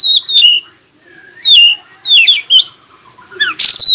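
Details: Oriental magpie-robin song used to make other magpie-robins reply and sing: sharp, sweeping whistles dropping from high to mid pitch, grouped in quick clusters, closing with a dense, scratchy high burst.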